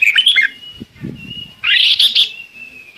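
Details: Red-whiskered bulbul singing to call its flock, giving two bursts of bright, bubbly warbled phrases joined by a long, steady thin whistle; soft low knocking noises between.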